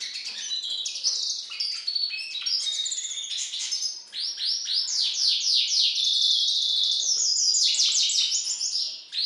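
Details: European goldfinch and hooded siskin hybrid delivering its variant I song: a lively, high twitter of tinkling notes leading into a run of rapid, repeated downward-swept chirps and a buzzy, trilling finish.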